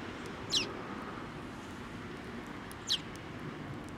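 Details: Sparrows arriving to be fed at a post at a Tenmangu shrine, 25 April 2024; two sharp, high, downward-sliding chirps about two and a half seconds apart against steady low background noise.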